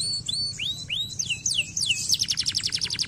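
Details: Canary song meant to stimulate lazy canaries into singing: a series of rising then falling whistled sweeps followed by a fast, even trill of bright high notes, over a faint low background hum.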